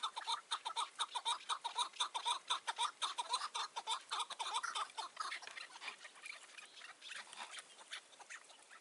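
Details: Partridge on a mountain at nightfall in June 2018, lingering near a decoy trap. A fast run of sharp, clucking notes, strong and regular at first, softens into a blurred, quieter chatter.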